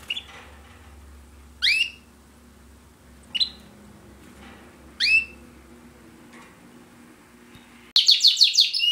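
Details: Male Border canary kept as a pet, with a German Roller canary in the household: sharp rising chirps repeated about every one and a half to two seconds, then a sudden loud, fast trill at the end.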